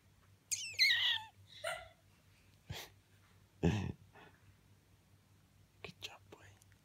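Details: A 12-year-old male pet Senegal parrot gives a squeaky, falling whistled note, then several soft, breathy, human-like mimicked sighs a second or two apart in a quiet room; he makes these mostly when wanting something he can't have.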